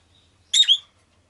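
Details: Rosy-faced lovebird giving a single shrill, harsh chirp: two quick buzzy notes high in pitch, the second slightly falling, against a near-silent background with a faint low hum.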